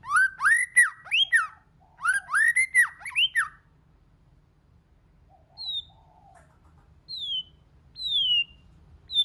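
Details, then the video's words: Varied white-rumped shama song meant to stir other shamas into singing: two bursts of rapid looping, rising whistles, then a pause and three thin high down-slurred whistles with a faint low note. "Kích Chòe LửA HóT,chòe lửa hót nhiều giọng"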